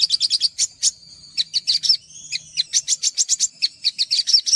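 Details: Olive-backed sunbird singing on a tutor recording for young birds: bursts of quick high ticks, a drawn-out thin whistle in the middle, then further rapid chirp series.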